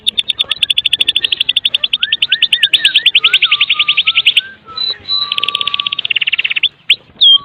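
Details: Medan white-rumped shama singing kretekan, played to trigger song in other shamas: a long fast metallic rattle over low wavering whistles, then a second rattle and a few sharp upswept notes.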